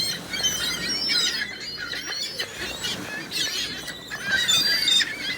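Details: Large gathering of seagulls squealing and squawking, a busy overlapping chorus rising and falling in bursts, with thin high whistled notes woven through and low background rumble.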